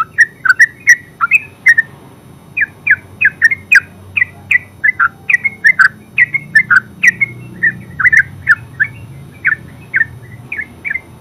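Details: Terucuk, the yellow-vented bulbul, in ngeropel song: a long run of short bubbly chirps, mostly single or paired notes tumbling quickly one after another, with only a brief pause early on and soft low background rumble.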